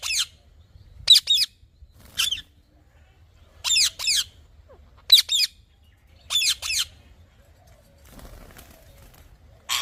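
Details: Parrot calling with short, harsh rasping squawks, mostly in pairs, spaced irregularly over several seconds, then a quiet stretch with faint rustling before one last squawk.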